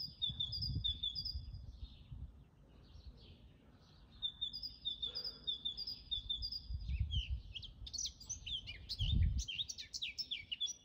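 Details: In a natural garden, a great tit repeats a steady two-note seesaw phrase, then a Eurasian blackcap bursts into a rich, fast, fluty warble near the end, over a low background rumble.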